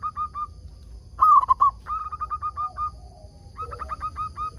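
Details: Zebra dove of a local strain, kept as a lure bird to make other doves reply; brief coos, then a loud rapid stuttered burst and a long series of regular cooing notes, with fainter lower coos from another bird.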